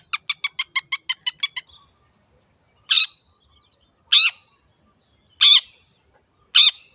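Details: Wild long-tailed shrike singing vigorously: a fast run of about nine short, harsh, chattering notes, then four loud, rasping, buzzy bursts spaced a little over a second apart, in otherwise quiet surroundings.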